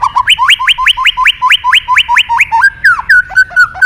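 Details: White-rumped shama singing to call a rival: rapid repeated upward-sweeping whistles in a steady rhythm, followed by rich warbled phrases and slurred notes, loud and clear.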